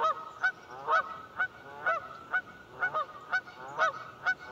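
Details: Several Canada geese at Buzzard Roost Creek, Alabama, honking loudly in quick succession, each call a brassy nasal note with a slurred drop, about two per second, voices overlapping.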